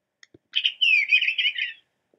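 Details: Eastern Bluebird in Nashua, New Hampshire, giving a soft, warbled song phrase of about a second, a run of burry, slightly falling notes with short gaps between them, preceded by a few faint clicks.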